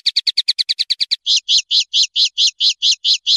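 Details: Common linnet (Carduelis cannabina) singing: a fast run of about ten short, bright, high notes, then a slower series of fuller, buzzy notes repeated evenly, roughly five per second, with no other sounds.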